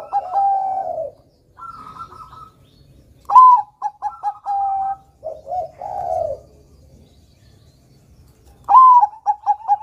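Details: Bangkok-type zebra dove song, used to lure young birds into singing: repeated phrases of a rising opening note, quick staccato coos and a descending purring trill, separated by short silences.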